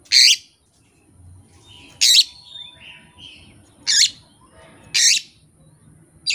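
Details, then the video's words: An Oriental magpie-robin (kacer) performs without tutor recordings or a rival, giving loud harsh rasping bursts about once a second, with faint soft whistles between them and low background rumble. "KACER JAYA SURYA NEKAT BONGKAR ISIAN TANPA MASTERAN DAN TANPA LAWAN"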